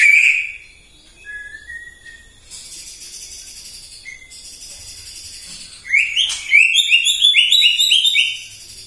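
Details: White-rumped shama singing in the morning to provoke other birds: a whistled phrase, a stretch of buzzy hiss, then a rapid run of rising slurred whistles.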